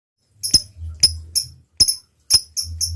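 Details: Lovebird in active singing form, ticking call style known locally as ngetik: sharp high clicks repeated about every half second, with soft low rumbling between them.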